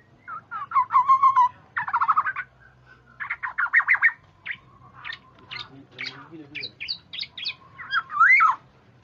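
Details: Black-naped oriole calls used as a lure to draw other orioles into calling: a rapid run of harsh, nasal bursts alternating with short fluty whistles over about nine seconds, with louder rasping phrases near the start and a rising whistle near the end.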